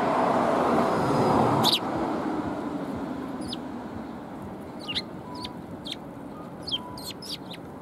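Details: Several sparrows gather to be fed at a Tenmangu shrine, recorded 14 February 2021. A low rumbling noise fades early on, then brief high chirps follow in quick, uneven bursts, about ten in all.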